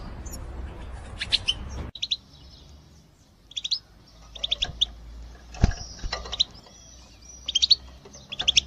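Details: Female European goldfinches calling as a group to stimulate males to sing: scattered bright, high chirps in short doublets and clusters, with pauses between bursts and low background rumble and a few knocks.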